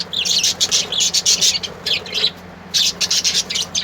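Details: Colourful birds singing: a dense run of rapid, high, sharp chirps with a brief pause near two and a half seconds, then the chirping resumes, over a faint steady hum.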